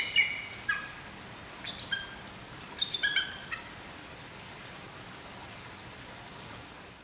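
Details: Two zoo Bald eagles in Nagoya, Japan, on 9 July 2021, one perched above the other, call back and forth while one preens: thin, high chittering in short bursts, a quick series around the third second, then quiet.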